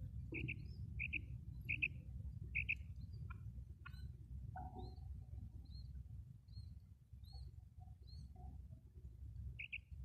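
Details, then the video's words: Female common quail call, a recording meant for luring quail when hunting: crisp paired notes repeated quickly four times, then one more after a pause, over soft high chirps from other birds and low background hum. "female quail sound"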